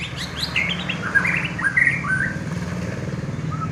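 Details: White-rumped shama of contest-winning standard singing a quick sequence of sharp high notes followed by mid-pitched whistled and slurred phrases, with a soft final whistle, against a low, constant background rumble.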